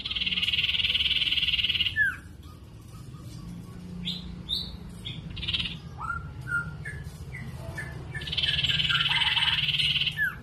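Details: Sirtu singing to provoke rival sirtu into responding: an opening buzzy high reel, then a varied string of short whistled and chipping notes, then another long buzzy trill closing with a downward flick, all over low humming noise.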